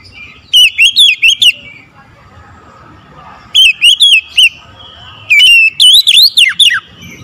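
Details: Morning song of an oriental magpie-robin: bright, loud bursts of four or five quick whistled notes, pausing between bursts, and ending in a faster run of swooping, falling notes.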